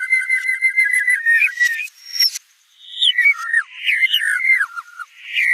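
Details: White-rumped shama in full, vigorous song: clear whistled phrases that step and slide, a short pause, then a varied run of quick rising and falling whistles and sharper notes.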